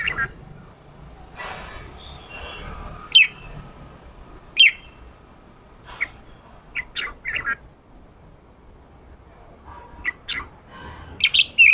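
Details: Male red-whiskered bulbul in 'ché' song meant to fire up freshly caught birds: scattered squeaky chirps and brief harsh chattered phrases, irregularly spaced with pauses of a second or more, later clustered at the end.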